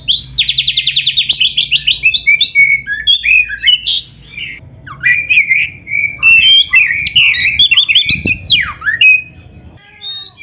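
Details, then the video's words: White-rumped shama, a kacer used as a training recording for captive birds, sings a rich, varied song: a fast run of repeated high notes, then many whistled, slurred and buzzy phrases with sweeping glides and short pauses. "KACER GACOR MASTERAN KACER ISIAN MEWAH"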